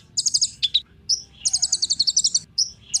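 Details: Ninja sunbird song for encouraging other birds to sing: quick high rattling trills mixed with short thin whistled notes, delivered in a hurried, uneven sequence.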